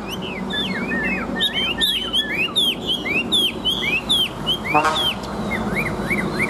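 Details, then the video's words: {'caption': 'Strong-singing Chinese hwamei, a mature bird caught from the wild and used in fights: a steady stream of clear slurred whistles and sharp high chips, with one brief harsh buzzy burst midway.'} "Bộ To Đấu Xòe Chơi Cánh Chim Già Rừng, Bản Lĩnh Hót Tốt Đấu Tốt"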